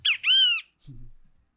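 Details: A Great Kiskadee in urban Foz do Iguaçu, Brazil, gives a loud, strident two-part call, a short note then a longer slurred one, followed by a brief low murmur of a voice.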